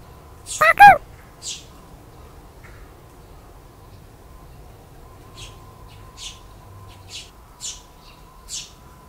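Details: Young Eurasian tree sparrows making their first outing from the nest in 2022, dashing toward their father: one loud harsh double chirp, then thin high faint chirps repeating about once a second over a quiet low hum.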